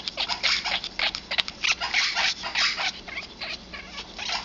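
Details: Female Congo African grey, eleven years old, displaying hormonal mating behaviour with rapid rasping chatter, about three harsh bursts per second in an uneven rhythm, broken by short squeaks.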